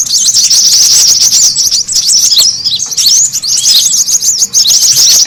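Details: High shrill chattering of brown-throated sunbird, played as a lure call to attract birds: fast chirps and looping whistled notes running continuously.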